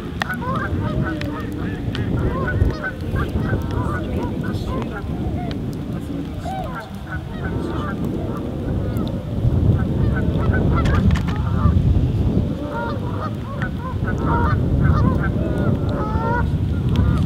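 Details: A family of tundra swans at Aylmer Wildlife Management Area gives a busy chorus of soft, hooting, goose-like calls, communicating and nodding heads just before taking off together.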